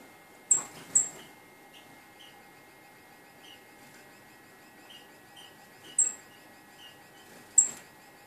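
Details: Caged red-eared parrotfinches, two almost tame females in a cage with artificial green and LED lights, utter sharp very high tsit notes spaced out over several seconds, with softer lower chirps between and a faint electrical hum.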